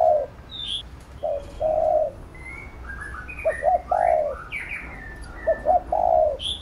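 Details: Spotted dove cooing to train a young captive bird, phrases of quick clipped notes and a long descending coo, with a lively chorus of higher chirping and whistling small birds between phrases.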